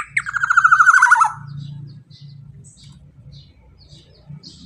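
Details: A black-naped oriole, noted as loud and vocal, calls to encourage other birds to sing. After a sharp opening note comes a fast, grating, buzzy trill lasting about a second, then low background rumble and faint chirps.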